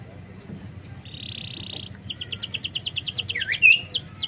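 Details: Lure song of a canary to make a quiet bird sing: a steady buzzy tone, a pause, then a rapid trill of short repeated notes ending in a few swooping slurs.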